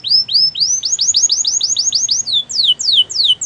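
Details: Spanish Timbrado canary delivering a clear tour of bright, arching whistled notes repeated about four per second, switching at the end to slower, longer falling slurs.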